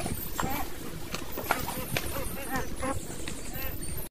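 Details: Goose chatter: a run of short, nasal, harmonic calls in quick irregular bursts over steady low rumbling background noise, with possible voices mixed in.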